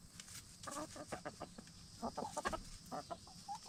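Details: Black star and Bielefelder hens settling in for the night in a movable chicken tractor after free ranging. Soft, rapid clucks and short murmured notes come in irregular bursts, with a faint insect hum in the background.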